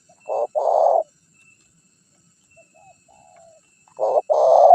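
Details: Spotted dove lure call meant to entice wild birds. Two hoarse coo phrases, each a brief note then a longer buzzing coo, separated by a long near-silent pause.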